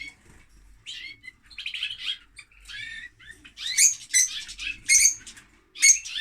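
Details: Lovebirds begin with soft, sparse twitters that build into louder, piercing high chirps and squeaks near the end, delivered in irregular bursts.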